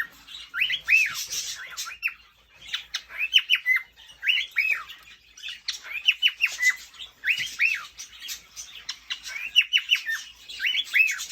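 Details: Courting male cockatiel calling to a female inside a cage: clusters of rising-and-falling chirped whistles mixed with raspy squawk-like bursts, phrases repeating roughly every two to three seconds with brief pauses, faint clicking in the background.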